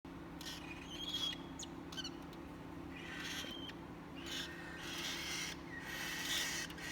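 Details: Three cockatiel chicks give harsh, hissing begging calls in repeated raspy bursts over a steady low hum.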